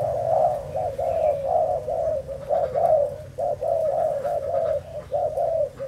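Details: Low, throaty cooing from a Thai-type spotted dove, recorded 11 August 2018, given as a steady chain of rounded hoots with brief breaks and a soft rumbling background.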